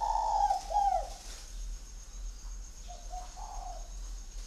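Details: Spotted dove from a Ba Vì, Hanoi bird garden, 'Son' voice style: a loud opening coo phrase of two smooth hollow notes, then a softer, shorter coo after a pause, with a faint constant high hum.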